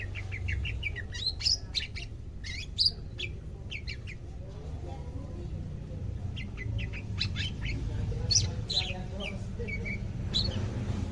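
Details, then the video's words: Greater green leafbird kept as a pet, second day of care and becoming active in song; rapid clusters of sharp chips and twitters in repeated bursts, brief pauses between phrases, steady low background hum. "CUCAK IJO, SUDAH MULAI AKTIF BUNYI"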